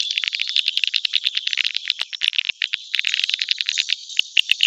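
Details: Swiftlet lure calls for attracting birds to a nest house: a continuous thick chorus of high buzzy chirps and clicks, many overlapping notes, steady throughout.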